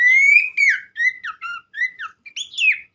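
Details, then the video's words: Pelanduk semak (Horsfield's Babbler) singing loud, clear whistled notes: a long rising whistle, then a string of short downslurred and upslurred phrases with brief gaps, ending in higher sweeping notes. "gacor burung pelanduk semak"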